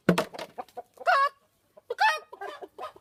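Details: Chickens give short clucks and a few drawn-out, nasal squawks, about one a second, with soft scratchy sounds between, seemingly unimpressed by a person's imitated danger call.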